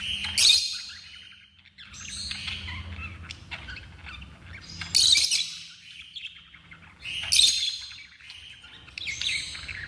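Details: African lovebirds kept at home calling with repeated shrill screeches and squeaky chatter, loud bursts recurring every two to two and a half seconds, steady hum below.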